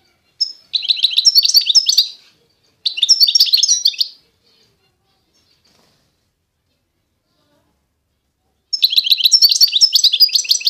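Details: Constantine goldfinch from eastern Algeria giving three separate bursts of dense, high, chattering twitters, with a long silence between the second and third phrase.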